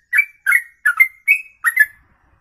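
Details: Ropelan song of a bird holding one breath for over two minutes; five quick whistled couplets, each starting low and sliding up into a short level whistle.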